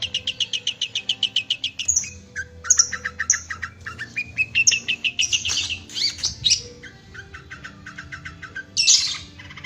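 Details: Singing caged long-tailed shrike, recorded for training other birds: a fast rattling series of even notes, then a varied medley of whistles, trills and harsh buzzes, ending in a loud scratchy burst.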